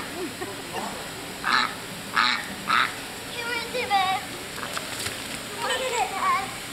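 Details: Three loud, raspy quacks, about half a second apart, come from a female domestic duck playing in a sprinkler with children in New Hampshire. Children's voices and chatter follow, over steady water spray.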